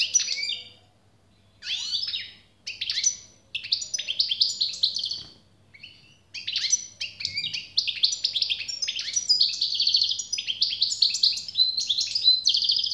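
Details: European goldfinch in generous song: opening scattered twittering phrases give way to a long unbroken stream of fast chirps, buzzes and liquid trills, with a faint low hum in the background.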